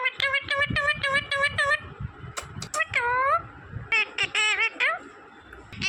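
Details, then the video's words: Talking green parrot producing a rapid string of even, clipped nasal syllables, then a drawn-out downward call and more word-like bursts, over quiet background voices. "smart green Parrot Talking Natural Sounds"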